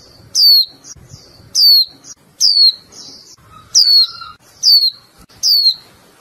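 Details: A female Japanese white-eye kept as a cage bird calls nonstop to urge the male to sing: six piercing, high chirps that sweep downward, spaced about a second apart, with quieter buzzy notes between.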